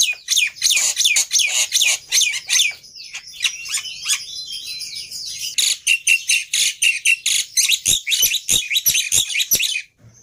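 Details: Black-winged myna lure song, meant to make a quiet bird answer: a dense, continuous flow of harsh chatters, squeaks and buzzy notes, then sharp clipped notes near the end.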